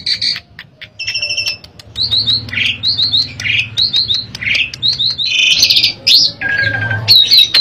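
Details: Singing Asian pied starling, used to coax another bird into song: short triple whistles answered by rough squawks, repeated rhythmically, then a loud buzzy burst and a long whistle, over a low hum.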